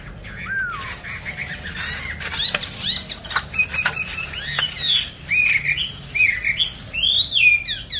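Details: Caged songbird, bought 19 May 2020, sings at moderate volume: scattered rising and falling whistles and chirps amid rustling, with a louder burst of looping notes toward the end.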